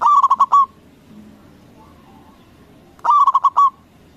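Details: Loud-voiced local zebra dove, used to stir other doves into replying, gives two rapid phrases of short mellow coos about three seconds apart, each ending in a longer held note.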